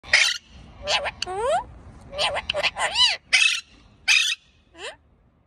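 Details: Pet parakeet chirping and chattering: bright broadband chirps mixed with rising and falling whistled sweeps and arched warbles, bursts coming in quick irregular runs with short pauses between them.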